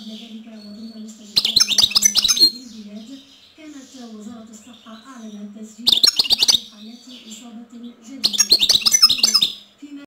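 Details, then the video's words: Three lively bursts of high, jingling goldfinch twitter, roughly every three to four seconds, with a low wavering murmur running underneath the gaps. "الحسون /// Goldfinch /// Jilguero"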